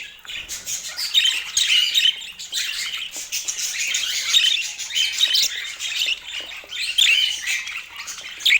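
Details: Budgerigars chattering continuously: a busy, overlapping stream of scratchy warbles, chirps and short whistled squeaks that rises and falls in loudness without pause.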